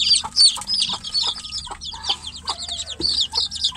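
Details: Chicks confined in a cage with the hen outside, peeping for their mother: loud piercing whistles falling in pitch, crowded together and irregular, about three calls a second.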